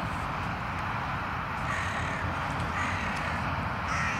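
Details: Carrion crows in a tense intimidation encounter, tempers heating up, filmed between December 2021 and January 2022: a few harsh, hoarse caws near the middle and end over a steady low rumble of background noise.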